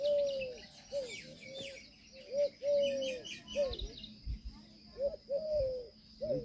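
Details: Peahen of the Indian peafowl calling with a run of short, clear, downward-curving tonal notes, some paired, in uneven bursts; high chirping of smaller birds and soft voices behind.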